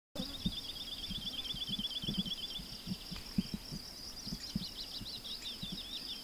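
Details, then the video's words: A woodlark sings a fast, fluty run of repeated motifs that speed up and fade toward the verse's end, then pauses and starts again, over steady high hiss and low thumping wind noise; often sings in flight or perched on trees or wires. "Lerka śpiew"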